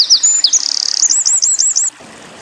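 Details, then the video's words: Short burst of Eurasian wren song in tembakan style, tutoring material for pleci: high buzzy notes lead into a string of rapid looping rolled notes, ending abruptly after two seconds. "Masteran PLECI Tembakan Winter Koning / Wren"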